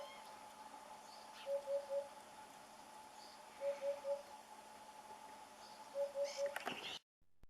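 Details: Eurasian hoopoe in Salamanca, western Spain, whose call announces spring though it is present year-round; soft, low, hollow triple hoots, 'oop-oop-oop', three times about two seconds apart, with faint chirps and a steady hum behind.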